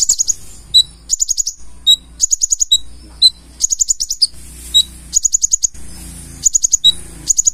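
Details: Konin, the purple-throated sunbird, singing hard with a rich mix of learned phrases: rapid high stuttering trill bursts alternating with lone pure whistled pips, quick and irregular throughout.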